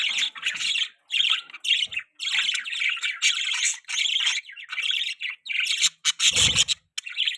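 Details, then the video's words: Budgerigars kept as pets chirping, described as mating sounds: busy scratchy warble in repeated bursts about half a second long, with one brief low rumble near the end. "budgie chirping sound|budgies mating sounds|budgie beautiful voice"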